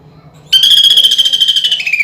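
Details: Greater green leafbird singing a 'nembak' shooting phrase with woodpecker-imitation filling, as used for bird contests: a sudden fast, harsh, pulsed trill that holds its pitch and then steps down slightly near the end.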